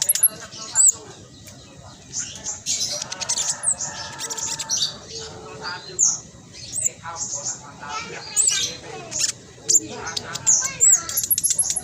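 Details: Caged spotted black sunbird with fast, tightly packed sputtering song, played to make other black sunbirds join in; shrill high twitters and chips come in clustered bursts with brief pauses between phrases.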